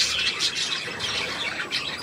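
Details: Brief budgerigar twittering, 3 April 2017: high thin squeaks and chirps layered over one another in an unbroken stream.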